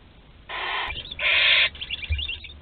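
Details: Barn owl chick, the last one remaining in its Théding nest on 26 July 2020: two rasping, noisy hiss bursts, the second louder and longer, followed by faint scratchy rustling and low knocks.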